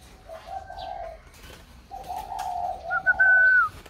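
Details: Spotted dove, placed in a box by its new buyer, keeps calling: low coos in two groups, then a loud clear rising-and-falling whistle near the end.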